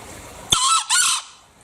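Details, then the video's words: Green junglefowl from Bali giving a single harsh, hoarse two-part call: a sharp raspy burst, a brief break, then a second slightly longer screechy note, with quiet background before and after. "Masteran Suara Ayam Hutan Hijau Bali (Sound Asli)"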